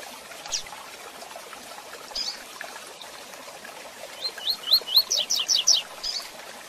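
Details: Double-collared seedeater singing the classic 'Tui Tui Zel Zel' song style, used for training captive birds: after a few scattered high chirps, a rapid run of sharp, high, slurred notes with a quick stuttering trill, over steady rushing background noise.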